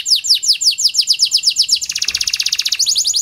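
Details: ['Canary of the Panda type singing to coax other canaries: quick repeated downslurred chirps, then a dense buzzy rattling trill before the chirps resume.']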